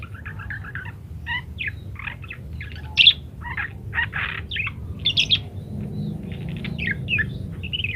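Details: Parakeet singing in varied phrases, a training recording for munias; spaced squeaky chirps and short buzzy notes, a few louder sharp calls around the middle, with a faint low hum.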